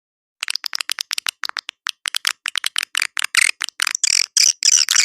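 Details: Edible-nest swiftlet lure call for swiftlet houses: a rapid series of dry clicks and short high buzzy chirps, bursts growing longer and louder toward the end, about four per second.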